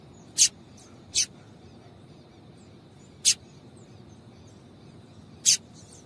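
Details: A female double-collared seedeater calls to get a male singing: four brief, piercing high chirps at irregular intervals of one to two seconds over a soft background hiss.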